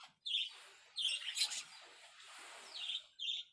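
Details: Zebra finches in a small aviary, which have begun carrying nest material, give short, nasal, buzzy, high-pitched beeps: four spaced calls over a few seconds, with a faint rustling hiss between them.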